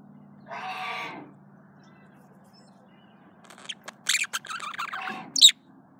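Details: Male budgerigar courting itself, giving a short scratchy burst followed by quick chattering warble notes and a sharp squeak, over a steady low mechanical hum.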